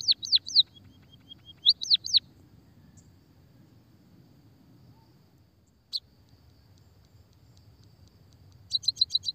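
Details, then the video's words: White-headed munia, used as a lure and therapy bird: short bursts of swooping high notes and a thin whistle, a long quiet gap with one chirp, then a fast chirp series at the end. "pancingan suara burung pipit emprit peking bondol kaji gacor kikikikikik...."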